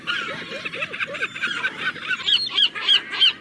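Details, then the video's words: Seagulls in a noisy group, dense chattering calls, then clear repeated arched high cries roughly every third of a second toward the end, with low background rumble. "Relax with the sound of the seagulls"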